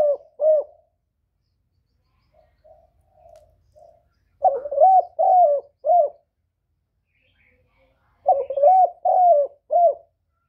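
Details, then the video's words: Spotted dove kept by a bird keeper, recorded directly with no background noise, loud-voiced cooing meant to stir newly kept doves to call: low hollow coo phrases of three to four notes, repeated in bursts with quiet gaps and a few soft coos between. "Tiếng chim cu gáy lớn giọng"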